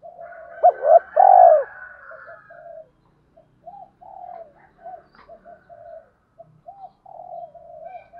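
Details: Spotted doves, male and female, calling to provoke a rival: a short loud phrase of low hoots and a rolling coo near the start, followed by many quieter scattered coos.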